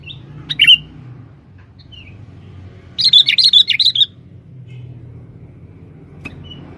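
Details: A male sooty-headed bulbul used as a lure in forest to attract females gives a lone bright chirp, then a quick run of about eight bubbly, high notes, over a steady low rumble.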